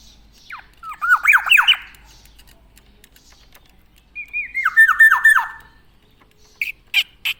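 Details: Tame Javan black-naped oriole, a songbird known for neat plumage, giving two bursts of rapid slurred whistles, each sliding down in a quick series, separated by a pause, then a few short harsh notes near the end.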